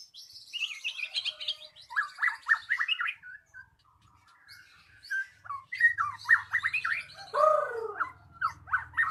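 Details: Magpie-robin song used as a lure to make a silent bird start singing: quiet, varied chattering phrases of quick chirps and short slurred notes, with a low rumble of background noise.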